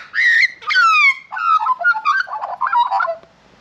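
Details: A noisy cockatoo in Australia, among cockatoos being fed seed at afternoon dinner time, gives a loud run of rough, downslurred whistles and chattering notes for about three seconds, with no other sounds around it.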